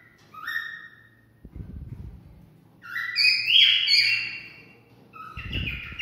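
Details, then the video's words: Cockatiel whistled song to stimulate mating: a thin falling whistle, then a burst of overlapping, sliding whistles, with a few dull knocks in the background. "Cocktail stimulating sounds for mating"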